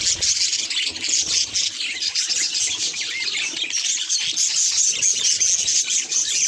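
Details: Mirror-facing pet budgerigar giving rapid, shrill twittering chatter, high and continuous, with short squeaky notes and a few clearer chirps running through it.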